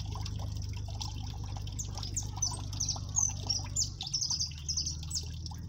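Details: Siskin (jilguero amarillo) singing in cold weather in its 'máquina' style, recorded up close: quick high, thin chirps and slurred notes tumbling together over a steady low hum, with a brief dip in the hum midway.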